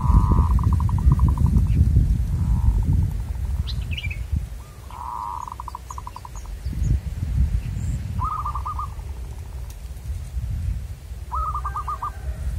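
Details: Local wild zebra dove producing repeated rolling phrases of fast pulsed coos, loud and softer phrases alternating at intervals, with a few high bird chirps and strong low-pitched background noise.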